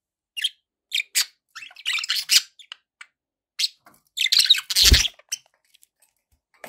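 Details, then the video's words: Budgerigar chirps arriving in separate short, scratchy bursts about every half second, with a louder clustered flurry and a low knock near the end. "budgie sounds"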